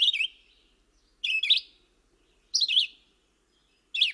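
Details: Red-eyed Vireo in spring singing short, slurred, burry phrases over and over very repetitively, about every 1.3 seconds with little pause between, against a quiet background.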